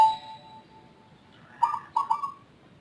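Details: Zebra dove with a strange voice unlike local or Bangkok birds, a persistent, long-lasting caller: a ringing metallic tone fades at the start, then three hollow coo notes, the final one held and level.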